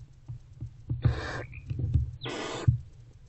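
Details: Inside Owl Box C, a barn owl mother with her older owlet at 4:41–4:46 am in February 2024; two short rasping hisses, with faint low thumps and shuffling between them.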